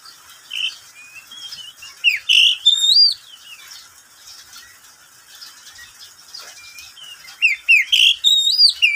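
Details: Caged oriental magpie-robin kept as a pet, singing at midday; two loud bursts of slurred rising and falling whistles mixed with quick high chirps, a quieter gap between them.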